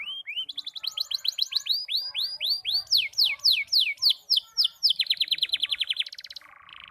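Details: Young canary learning to sing: clear, fast repeated slurred whistles, dense rolling notes, then a quick even trill ending in a short buzzy note, delivered almost without pause.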